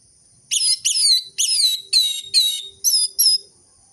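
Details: Orange-headed thrush singing full-voiced, played to rouse sluggish caged birds: seven short, bright whistled phrases, each sliding downward, repeated about every half second with brief gaps.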